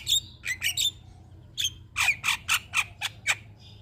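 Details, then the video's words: Javan myna singing for a master recording meant to stimulate other birds, said to sing day and night: harsh, squawky notes in bursts, then a steady run of about six loud rasping calls roughly every quarter second, over low hum. "Burung Jalak Kebo Gacor Mental Juara Tetap Bunyi Siang Malam Pas Buat Masteran dan Pancingan"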